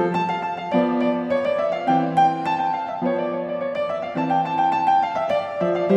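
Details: Piano music plays throughout, with repeated keyboard notes and chords and no animal voices.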